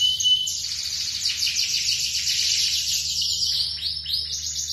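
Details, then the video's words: Male lemon canary sings a long, unbroken song of fast buzzy trills and rolling repeated notes, sliding between phrases without pause; a steady low hum sits underneath. "تغريد فحل ليموني ملتش طويل"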